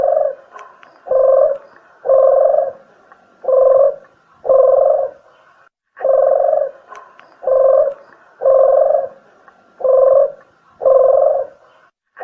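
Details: Spotted dove calling to attract birds, a lure recording: deep, mellow coos delivered in steady short bursts about once per second, several in a row with brief pauses, no other sounds.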